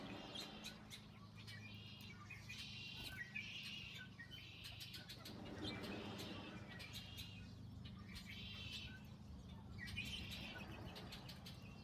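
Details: American coots in a flock, defending together against a bald eagle, give bursts of harsh, chattering calls in clusters every couple of seconds, over a steady low rumble of wind or water; American coot.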